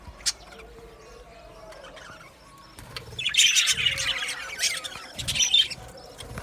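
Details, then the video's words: Budgerigar aviary sounds: quiet, sparse chirps for the first three seconds, then a burst of loud, busy twittering and sharp squeaky calls from several birds. "Budgies chirping sounds"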